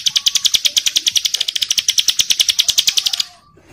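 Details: A bar-winged prinia in breeding condition calls to a female while other birds answer, giving a fast, dry, high-pitched ticking series of about three to four notes per second that runs for three seconds before stopping.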